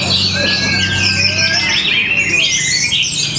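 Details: Short burst of orange-headed thrush song from Tabanan, Bali: a smooth long whistle, then rising and falling slurred notes and twitters, over a low droning hum.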